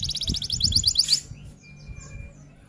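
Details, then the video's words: F1 canary delivering a brief, high, rapid trill of pulsed notes that stops after a little over a second, leaving a quiet background with a faint whistle and low hum. "Kenari F1 Gacor Rol Tembak Top Durasi Panjang"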